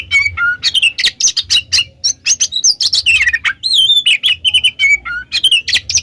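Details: Oriental magpie-robin song mixed as a lure so other magpie-robins answer: rapid, nearly unbroken run of varied high whistles, sharp chirps and short trills, with a few flat whistled notes repeated, over a faint low hum.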